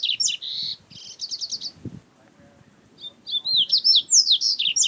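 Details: Wild double-collared seedeater recorded in nature, giving a high buzzy trill of fast repeated notes, a short gap, then a phrase of quick, looping whistled slurs; faint low background rustle.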